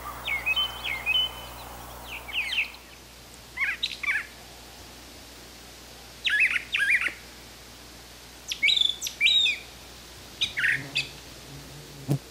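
Brown Thrasher giving short, scratchy high chirps in quick bursts, some doubled, spaced about a second or two apart over a quiet background hum.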